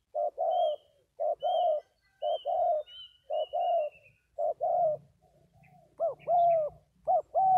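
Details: Spotted dove from Vietnam giving repeated paired coos about once a second, with faint thin high whistles from another bird early on and a crisper, higher coo near the end.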